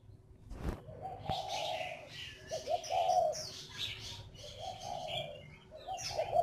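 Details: Spotted dove lure bird from northern Vietnam: a repeated sequence of mellow, hollow coos, each lasting under a second, with higher chirping from other birds and a sharp knock near the start.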